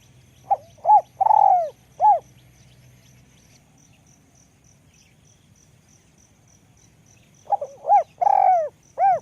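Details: Two cooing phrases from a high-voiced spotted dove in ลูกกอก style, separated by about five seconds of quiet. Each is a soft pip, a hollow coo, a long trembling falling coo and a final coo, with faint ticking throughout.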